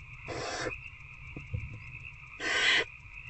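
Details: Inside a barn owl nest box at night on 19 February 2024, an adult feeds an older owlet; two harsh hisses about two seconds apart, soft knocks between them, steady background hum.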